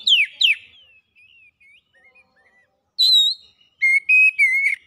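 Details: Fast-singing oriental magpie-robin, used as a lure to draw out another bird's full range of songs, gives sharp down-slurred whistles, soft quiet twitters, then bright sustained whistled notes.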